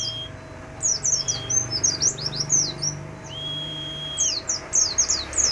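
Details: White-eye in full ngalas-style song with filler phrases: rapid, high, sharp chirping notes in bursts, interrupted by long flat whistled tones and set against a steady low hum.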